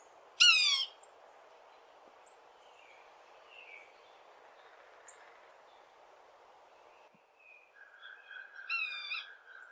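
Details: Yellow-bellied Sapsucker mew call, the call most heard in Kentucky: a soft, nasal, cat-like mew, once near the start and again near the end, each slurred and harmonic-rich, with faint bird calls between.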